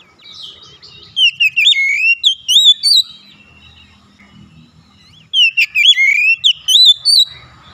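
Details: Oriental magpie-robin song used as a luring track to make reluctant magpie-robins sing: two bursts of loud, slurred whistles rising and falling in quick succession, separated by about two seconds of near silence with faint low rumble.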